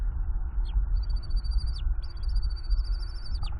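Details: Bald eagle eaglet on its nest in Northeast Florida, chittering at its father on a windy day in early April 2021, from a nest camera: two long high, thin whistled notes with slight dips and drooping ends, over heavy low wind rumble.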